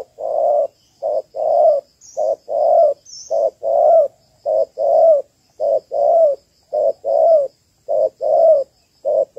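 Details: Spotted dove hen of Malaysian type calling to stimulate males for a ground trap; a long, even run of about nine paired coos, short note then longer rolling note, repeated roughly every second, clear and close.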